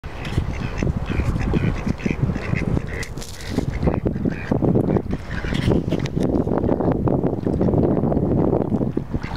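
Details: At Walter Fuller Park, Mottled Duck x Mallard hybrids give a busy run of low, raspy quacks, several birds calling over one another, with a steady background rumble.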